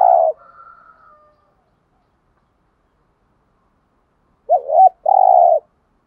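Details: Lure spotted dove, thúc gù and gáy gọi calling meant to excite other doves: a long coo ends a phrase, then after about four seconds of silence a wavering two-part note and a sustained rolling coo.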